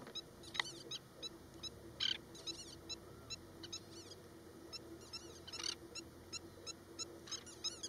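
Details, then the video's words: Oriental pratincole giving a broken-wing distraction display at Osman Sagar, Hyderabad: faint, high, sharp clicking notes repeated steadily, broken by a few louder rasping chattering bursts over a constant low hum. "Oriental Pratincole Broken Wing Display"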